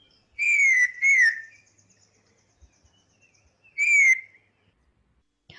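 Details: Wayanad laughingthrush in evergreen-forest shrubs of the Western Ghats, a flock bird, gives loud, clear down-slurred whistles: two close together, then a third after about two seconds; such calls come from bushtops in the breeding season from March.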